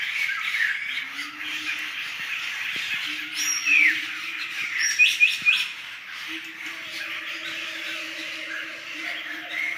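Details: Laughingthrushes calling as a flock in Sumatran forest: scattered sharp chirps and a brief burst of squeaky notes near the middle. A steady low hum runs underneath, joined later by a second higher drone.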